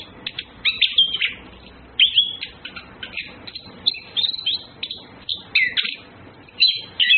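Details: Male and female orange-headed thrushes in courtship: clusters of squeaky whistles and chattered notes that come in short bursts separated by quieter gaps.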